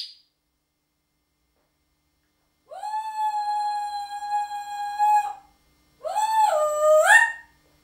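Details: Talking parrot whistling one long, steady, pure-toned note for over two seconds, then, after a short pause, a wavering note that dips and rises to finish higher; quiet room otherwise.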